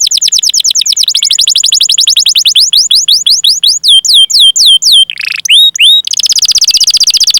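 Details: Canary training song meant to coax young or silent canaries into singing: loud, dense series of swept whistles, falling and rising sharply, with a brief harsh burst and a fast trill at the end.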